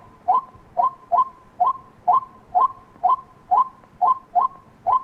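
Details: White-breasted waterhen call: short, sharp notes repeated about twice a second in a steady series over a faint continuous tone.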